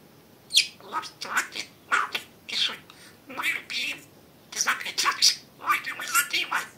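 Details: Talking pet budgerigar chattering steadily, a run of hoarse, high, syllable-like bursts roughly every half second, grouped into two longer phrases with a short break between them.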